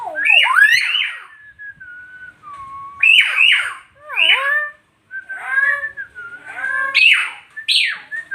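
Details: Nias hill myna of Nias island, North Sumatra, delivering a varied run of harsh squawks, long level whistles and curving dipped notes, loud and continuous over eight seconds.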